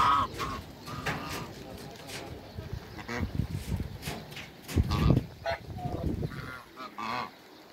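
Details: A pair of Toulouse geese kept in a backyard with other waterbirds: several nasal, harmonic honks in short bursts near the start and again toward the end, over low rumbling, shuffling farmyard noise.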